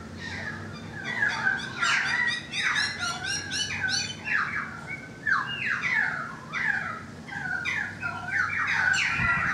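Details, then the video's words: Currawong song from a balcony, rapid chattering notes giving way to looping whistled glides that fall in pitch, phrases repeated with short gaps. "The Currawong Song"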